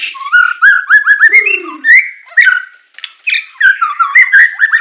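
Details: White-rumped shama from Medan singing a full 'tembakan' song: rapid series of loud whistled, slurred notes repeated in quick bursts, with one lower downslurred whistle in the middle and short pauses between phrases.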